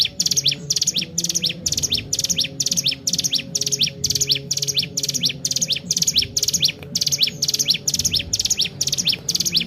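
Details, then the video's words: Captive Sunda warbler, a mountain bird kept as a lure to train other songbirds, singing nonstop: quick high thin notes sweeping sharply upward, repeated about twice a second in steady bursts, with a faint low hum underneath. "cigun gacor tak main2× sangat cocok buat pancing 3m05i burung anda"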